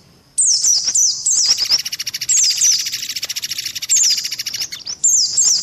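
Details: After a quiet start, high sliding chirps of white-eyes recur in bursts above a rattling trill; a lure combination of mantenan and pelatuk beras calls.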